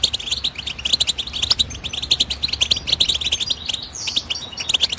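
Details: Goldfinch in full twittering song, delivering dense runs of sharp, high metallic chirps and trills in quick succession, with a brief sliding note near the end and no other clear sounds.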